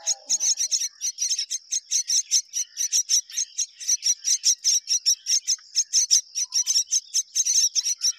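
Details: Pair of mynas rearing their babies together; rapid, high, scratchy chirps repeat about four times a second throughout, over a steady high-pitched hiss, with a brief lower note near the start.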